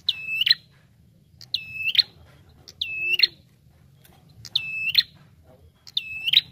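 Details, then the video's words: Bar-winged prinia calling loudly, used as a lure call: sharp, high, ringing notes in short bursts roughly every second and a half, over a faint low hum. "SUARA PIKAT Burung Prenjak Tamu Gacor"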